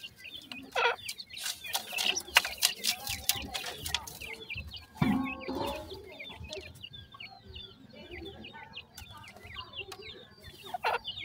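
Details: At feeding time a grey francolin hen and her five chicks: noisy clattering and scuffling first, then the chicks' thin, falling chirps repeated rapidly and overlapping through the rest.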